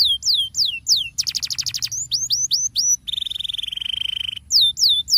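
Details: Canary song used as a lure to get quiet canaries to sing: rapid downward-sweeping whistled notes, a fast buzzy trill, more swooping notes, then a long steady rolling trill before sweeping notes return.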